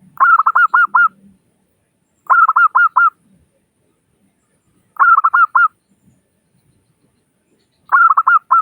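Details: Lure recording of a local zebra dove with a crystal-clear voice: four short phrases of about five fast, bouncing coos each, spaced roughly two to three seconds apart, with silence between.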